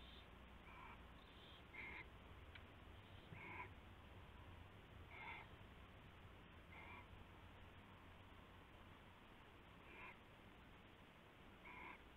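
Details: Owl calling at night around 4 AM on 19 February 2016 as rabbit prey is passed between birds; short harsh hissing screeches repeat irregularly, about eight bursts in twelve seconds, over a steady low hum.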